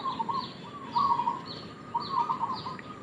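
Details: Local zebra dove giving a lure call used as bait: stuttering, rolling coo phrases repeated with short gaps, while another bird adds thin high downslurred notes in the background over steady outdoor noise.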